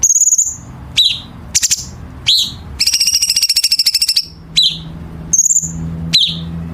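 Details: [1, 'likely', 'song', 'Chinese bulbul training song with sharp, dense harsh-note fill for competition birds: high whistled notes and quick downslurred chirps alternate with a rapid, even trill lasting over a second.']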